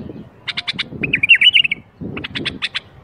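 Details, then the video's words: A bulbul's song used to stimulate other bulbuls into singing: bright, quick chirping notes in short bursts with a rapid warbled phrase in the middle, over a faint low background rumble. "أقوى برواز بلبل ممكن تسمعه لفتح البلابل القافله"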